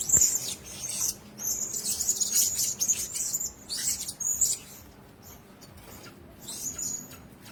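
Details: Blue-crowned hanging parrots in a cage give high, squeaky whistles and raspy bursts, busy at first, then thinning to a last faint note near the end.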